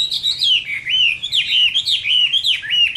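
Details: Chinese hwamei fighting song on a summer midday: a steady string of rich whistled notes, each swooping down then up, repeated about every half second without pause.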